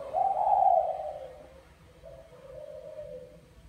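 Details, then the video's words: Male spotted dove of mã phấn type calling to a female, bài lối style: one strong, drawn-out hoarse coo followed by a softer, lower trailing phrase. "Chim Cu Gáy Mã Phấn Thúc Mái Bài Lối"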